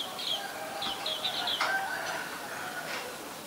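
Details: Common Myna in Ubon Ratchathani, Thailand, recorded 3 May 2022 with a Nikon P1000: a run of varied, harsh, harmonic notes and short chatter, rising and falling in quick succession, over a steady outdoor hum.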